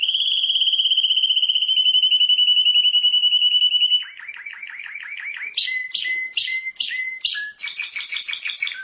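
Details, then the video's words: Belgian canary, billed as a world champion, sings a long, rapid, steady trill, then shifts into lower rolling phrases and bright, chopped notes in quick, varied series. "Canto de canario"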